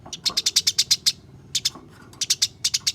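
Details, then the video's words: Fighting house sparrows, kept in a cage, give quick strings of shrill, high chirps, one run of about nine notes, then shorter bursts after a brief gap, with faint low hum beneath. "Masteran Burung Gereja Tarung"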